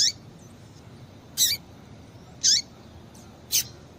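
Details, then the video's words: Female double-collared seedeater calling to rouse a male into song: sharp, high chips spaced roughly one second apart, each ending in a brief downward slur. "Piado de Fêmea de Coleiro Para Esquentar Coleiro"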